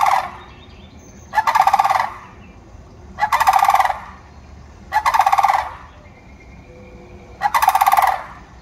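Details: Sandhill crane in Land O'Lakes, Florida: four loud, rolling, rattling bugle calls, each lasting about a second, spaced roughly two seconds apart with quiet gaps between.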